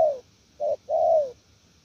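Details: Spotted dove, wild-caught, heard in one 'gù lèo nước' phrase: the tail of a falling coo, a short clipped note, then a long, even, slightly descending mellow coo.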